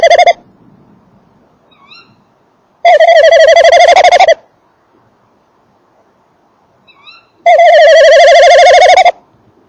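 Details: Male tawny owl at a nest box, 19:48 on 28 December 2013, microphone close to the box while the female calls further off; two loud, harsh, rich trembling bursts of about 1.5 seconds each, with faint short upslurred calls in between.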